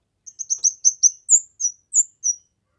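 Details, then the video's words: Kemade in full voice for masteran and pancingan: a single phrase of about ten high, clipped chirps that quicken at first, then change into a few longer, downslurred whistles. "Burung Kemade GACOR...Cocok untuk MASTERAN, PIKAT DAN PANCINGAN"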